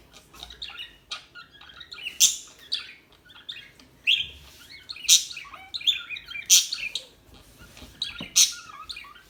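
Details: Calm small birds chirping: bright high chirps and short twittered phrases in bursts roughly every one to two seconds, with quieter twittering between them.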